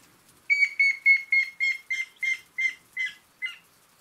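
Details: Grey-headed woodpecker calling a run of about ten ringing whistled notes, steady in pitch and spaced about a third of a second apart, the later notes softer and rougher, against near silence.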